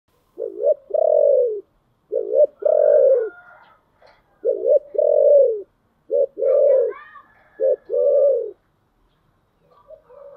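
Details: Spotted dove singing in the 'giọng thổ' style: low, mellow cooing phrases, each a short throaty note followed by a longer drawn-out coo, repeated in four bouts over ten seconds, with faint higher chirps from another bird between phrases.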